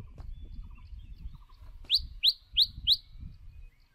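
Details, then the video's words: White-rumped shama decoy bird, faint background chirps followed by four loud, sharp up-slurred whistles spaced evenly about a third of a second apart, over a low rumble. "Chòe lửa Mồi hót cực đỉnh ✦ Luyện giọng chòe lửa"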